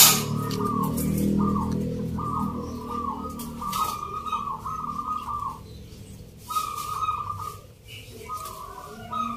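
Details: Local zebra doves at a Yogyakarta song contest, Indonesia, on 19 November, performing the Nglagu Ngepat Mentaraman rhythm. Chopped trilled coo phrases come in runs, then pause before resuming, over low rumbling background noise.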